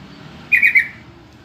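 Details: Lure call of a yellow-vented bulbul, used to draw replies from other bulbuls: three rapid, liquid chattering notes in a brief burst, with a soft low background rumble.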